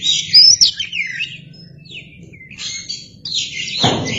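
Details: Lure recording of an Oriental magpie-robin in full song with its tail spread: a bright burst of high whistles and slurred notes, brief quiet falling glides midway, then a sharp noisy clack and more warbling at the end.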